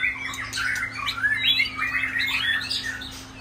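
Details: Several kept shama birds singing on a rainy day: a dense, continuous stream of varied whistled and chattering phrases with rising and falling slurs, fairly loud throughout, with a steady low hum underneath.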